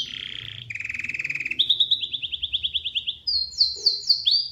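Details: Canary song used to lure another canary into singing back: a varied series of high rapid trills, first a buzzy roll, then lower pulsed trills, a descending string of repeated notes, and sharp rising whistled slurs at the end.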